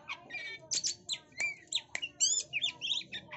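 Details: Female white-rumped shama, a bird used for luring other birds, calling busily: a rapid mix of sharp high chirps, short rising whistles and ticking notes packed closely together over a few seconds, with no other clear sounds.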